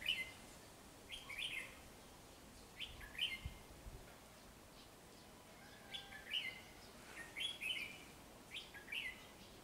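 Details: Red-whiskered bulbul near a decoy fighting trap: bright slurred whistled phrases of three or four notes, repeated in bursts about every one to two seconds over a quiet outdoor background.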